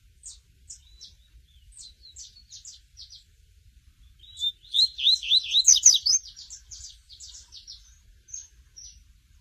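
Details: Coleiro, or double-collared seedeater, in the tui tui song style: many short, very high ticking notes lead into a burst of rapid, loud, slurred whistles at mid-clip, then more sharp high ticks follow.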